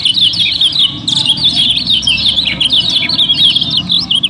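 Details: Yellow-bellied prinia, a kept songbird of the Lombok type, singing busily as a lure to set other birds singing: dense rapid chirps and twittering notes, high and sharp, running continuously with a low hum underneath.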